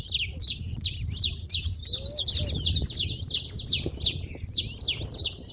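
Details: Several saffron finches noisy at a feeder, giving loud, high, slurred chip calls in a near-continuous run, plus a faint thin whistle and low background noise.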